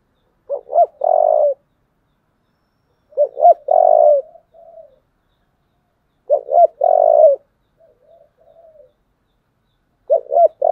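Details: Spotted dove fighting call in the low 'giọng thổ' voice, four phrases about three seconds apart, each two quick coos then a long coo, followed by soft trailing murmured notes.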